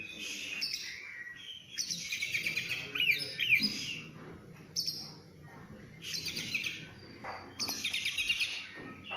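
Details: Oriental magpie-robin producing harsh, scratchy bursts and squawky notes in several loud outbursts with short whistles mixed in, separated by quieter pauses.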